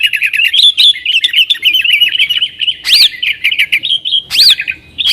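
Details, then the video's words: Lively 'nggaruda' song of a yellow-vented bulbul (trucukan), played to lure wild sooty-headed bulbuls: rapid twittering warble of looping notes, punctuated by two loud upswept whistles. "TRUCUKAN GACOR Nggaruda Super Ampuh Untuk Suara Panggilan Burung Kutilang Liar"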